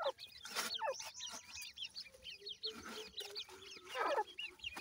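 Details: Grey francolin (teetar) chicks fighting with their mother after feeding, giving many high, thin rising peeps that overlap, mixed with sharp broadband pecking and scuffling clicks.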